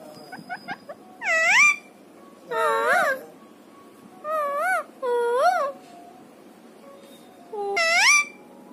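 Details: Pet parrot that talks gives a few short soft notes, then five loud, warbling, harmonic calls that dip and rise, spread over about eight seconds in a quiet room.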